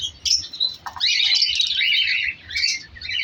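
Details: Colour lovebirds breeding together in an aviary colony during winter. Sharp squeaks open, then a sustained wash of overlapping high chirps and buzzy chatter.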